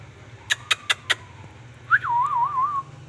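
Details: Ringneck parrot: four sharp clicks, then a loud whistle that jumps up and wobbles in quick waves before it levels off, over a low steady hum.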